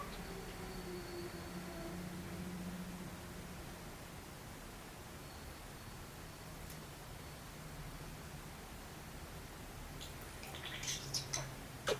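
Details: A steady low hum and hiss fill the room throughout, with no animal voice standing out. Near the end come a few brief rustles and clicks.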